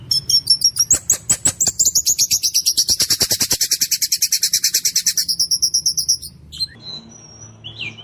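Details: White-rumped shama in vigorous song, rol tembak style with a harsh, clear voice: a steady rolling trill of sharp high notes lasting about six seconds, then quieter scattered whistles with a soft low hum behind.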